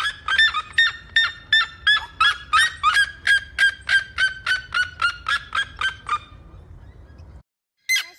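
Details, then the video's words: Series of loud, harsh yelping notes from a red-legged seriema, steady and rapid at roughly three per second, pitch slowly falling and fading toward the end before a brief cutoff. "O canto da Seriema"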